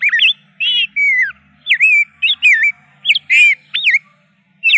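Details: Rich, liquid warbling from a rose-breasted grosbeak: loud, clear slurred whistles in quick succession, some notes swooping downward, others twisting up and down.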